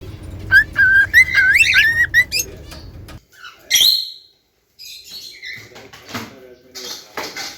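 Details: Pet cockatiels whistling and singing: a run of clear whistled notes near one pitch with small upward slides for about two seconds, then scattered short chirps and clicks after a pause.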